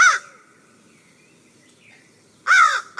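An American Crow gives loud, harsh, nasal caws: one, then after a two-second pause another, with a third cut off at the end.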